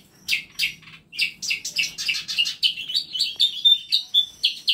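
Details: High chirps start sparse, then quicken into a fast, steady run of sharp twittering notes from birds in a small home aviary stocked with masteran birds.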